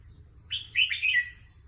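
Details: Red-whiskered bulbul kept as a competition singing bird, giving a short warbled phrase of quick rising and falling whistled notes, bright and fluid, lasting under a second against a quiet low background hum.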